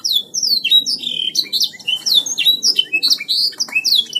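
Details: Canary singing gacor: a continuous, loud stream of high whistled downslurs, rapid chirps and buzzy rolls with hardly a break, over a faint low background hum.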